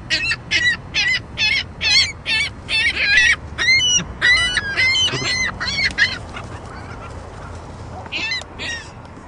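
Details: Juvenile ring-billed gull squawking persistently: loud, harsh, nasal calls with bright harmonics, repeated in rapid succession more than twice per second for about six seconds, then a pause before a few more squawks near the end.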